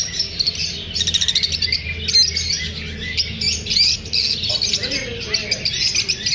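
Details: Chattering lovebirds feeling unsafe while filmed: shrill overlapping chirps and squawks in a steady flock chorus, pulsing in short louder bursts.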